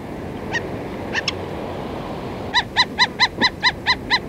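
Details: Black-necked stilts in a feeding flock, recorded close: a few isolated sharp notes, then a steady run of loud nasal yapping calls, about four per second, over low background rumble.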